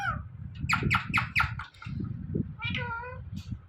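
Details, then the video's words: Talking Indian ringneck parrot repeating "mithu" indoors: a rapid series of four clipped, bright syllables, then a longer nasal, meow-like harmonic call, against constant low-pitched background noise. "Talking Parrot Saying Mithu Mithu"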